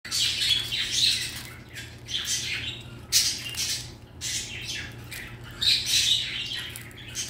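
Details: A pet red-collared lorikeet, happy with its favourite chew toy and its owner home, gives harsh, shrill screeches in bursts every second or so, with short sharp squawks between, in a quiet room.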